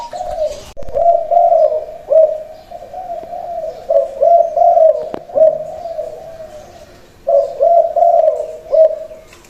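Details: A captive, trained decoy Spotted Dove, repeatedly put out on the ground and said to crow reliably, gives soft, mellow cooing phrases, each a few hollow notes run together, repeated every few seconds with brief pauses.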